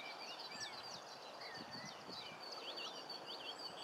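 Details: Common linnets at the coast in Cornwall twitter in quick, bright, scratchy notes, several birds chattering almost continuously over a steady rush of wind or surf.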